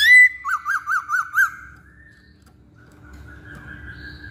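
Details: Masked laughingthrush song used to prompt other birds to sing: a sharp whistle, then five quick bouncing whistled notes, followed by a faint drawn-out whistle and low hum.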